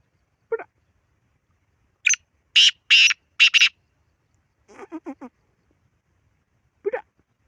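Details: Black francolin with one brief low note, then a sharp burst and three loud, harsh rasping notes, followed by a short series of clipped descending notes and a final single low note.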